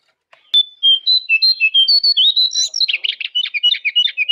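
A jongkangan sings clear, high whistled notes that step gradually upward, then breaks into a fast, scratchy run of twittering chatter.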